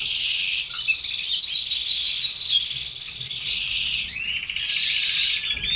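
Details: Red canaries kept as pets deliver a continuous, rolling song of fast trills and twittering notes, shifting pitch steadily with no breaks.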